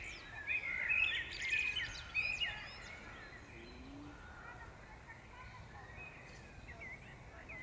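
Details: Birdsong at Powsin Botanical Garden in May 2016: a burst of high twittering and trilled notes over the first two seconds, then only sparse faint chirps against a steady environmental hiss.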